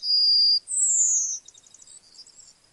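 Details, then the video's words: Close Yellowhammer song ending: a sustained high whistle, a brief gap, then a long higher note gliding down, trailing off into faint twitters. "Yellowhammer Singing"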